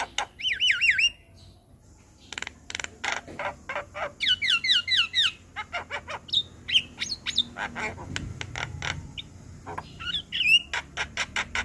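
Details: Vigorously singing white-eyed Javan myna in a masteran session: looping whistled warbles, a pause, then dense clicking and chattering mixed with sharp whistled chirps over a low background rumble.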